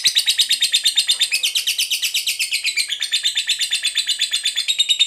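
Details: Lovebird fighter singing a long 'ngekek panjang' trill, used to prompt other lovebirds to sing: a dense run of rapid, high, chattering notes repeated steadily at a fast pace, loud and unbroken throughout.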